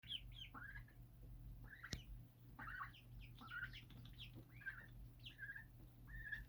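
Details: Birds raised on a home rooftop, a group chirping in short downward-slurred notes, several overlapping, with a steady low electrical hum underneath and a sharp click near the two-second mark.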